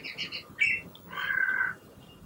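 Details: A common myna that visits a balcony in Gurgaon, India, almost every morning. It gives three quick bright chirps, a harsh squawk, then a long drawn-out whistle dipping slightly in pitch. Nothing else is heard.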